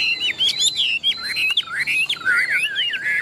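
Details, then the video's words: Tame caged Chinese hwamei with a large build, a strong competition singer, delivering loud clear whistled phrases that swoop up and down and twist rapidly, in bursts separated by short pauses. "Họa mi thuần đét, Bộ to - Đấu hót rất tốt"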